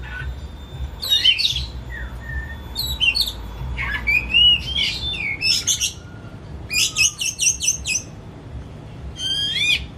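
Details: Pet Oriental magpie-robin kept at home as a hobby, not for contests, sung as a lure to make a silent bird open its beak and sing: varied whistled phrases, sharp rising notes and harsh buzzy bursts, with a low hum beneath.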